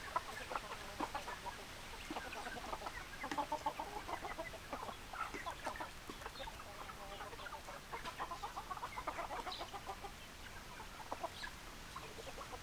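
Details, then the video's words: Flock of domestic hens clucking steadily, with many brief, clipped clucks and murmurs overlapping continuously over about twelve seconds against faint background hiss. "Chicken Sounds Noises Hens Clucking Roosters Crowing"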